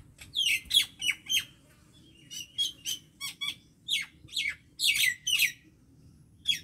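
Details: Lively common myna song of repeated downslurred chirps and whistles in quick clusters, fairly loud and steady over a quiet background.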